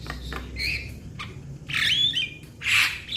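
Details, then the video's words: Young Javan myna calling out to its companions. Three loud, harsh squawks with whistled overtones, spaced about a second apart, the last the strongest, over faint low background hum. "Jalak kebo Muda Memanggil Kawan Suara Asli Jalak Kebo"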